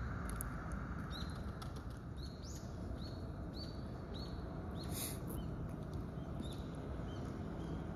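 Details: Common kingfisher on the Zenpukuji River, Tokyo, on 26 November, taken with a smartphone and telephoto lens: several thin, high, upslurred whistles spaced through the clip over a loud steady low rush of water or traffic.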